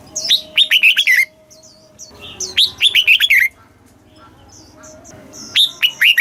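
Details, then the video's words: Caged red-whiskered bulbul in Thailand, southern master-style song played to excite birds and train young: rapid strings of six or seven bright chirping notes, each dropping in pitch, two full phrases and the start of a third. "เสียงนกกรงหัวจุก สำหรับต่อ หรือ เปิดให้นกคึก เสียงเพราะๆ"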